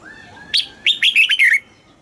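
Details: Red-whiskered bulbul song in the southern Thai classic style, used to stimulate caged birds and teach young birds: a short burst of loud, clear whistled notes, warbled and slurred up and down, roughly six phrases in under a second.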